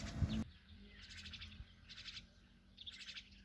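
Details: Myna chicks being fed by their mother give three bursts of harsh, high, rasping chatter about a second apart. A loud thump opens the clip, over a low background rumble.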